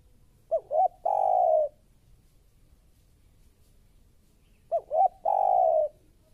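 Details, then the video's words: Spotted dove, described as fierce, recorded as a training lure: two identical phrases about four seconds apart, each two short rising hoots then a long drawn coo, in a quiet setting. "Suara Tekukur Baru Galak"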